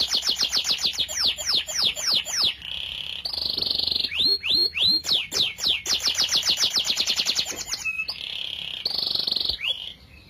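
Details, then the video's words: Canary in full, energetic song: long runs of rapid, sharply falling notes, broken by sustained rolling trills and buzzy passages, then more quick repeated notes, loud and continuous throughout. "20+ kenari gacor dor"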